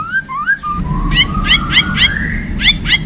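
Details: Caged Bornean white-rumped shama singing right after being handled, giving clear whistled notes that slide into a long rising whistle, overlaid by quick repeated sharp chip notes about four per second; low background hum throughout.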